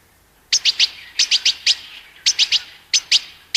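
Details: European goldfinch: bright sharp chirps in quick groups of two or three, with short pauses between groups, over a quiet background.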